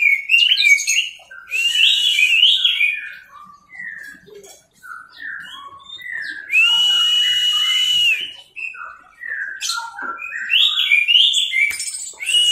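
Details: Teler-style song of an orange-headed thrush on a masteran tutor recording: rapid runs of short varied whistled notes tumbling up and down, broken by a long held rasping note and quieter gaps.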